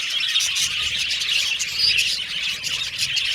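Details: Flock of pet Australian budgies chirping, a thick high-pitched twitter with a few brighter whistled notes rising above the constant chatter.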